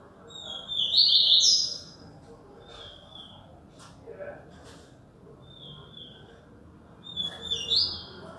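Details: Yellow-bellied seedeater in Alagoas, Brazil, giving several bright, high whistled song phrases with fast trilled ends, spaced by pauses of a few seconds, against steady low background rumble and a few faint clicks.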